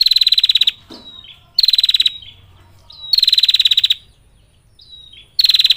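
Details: Female bar-winged prinia calling males with repeated bursts of rapid, rattling clicks at a high, steady pitch, about one every one and a half seconds, separated by faint whistled slurs.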